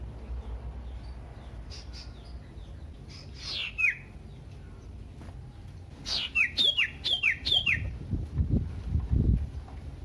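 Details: Common iora song used as a lure to provoke other ioras: scattered sharp notes, then a fast series of five down-slurred whistled notes, followed by low thumping noise.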